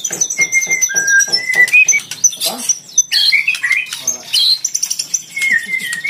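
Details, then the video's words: Caged Oriental magpie-robin singing to draw out and challenge a rival: a series of clear level whistles, then a jumble of fast chirps and rising whistled notes. "PANCINGAN MURAI PASTOL FIGHTER MENGUNDANG LAWAN IKUT BUNYI GACOR"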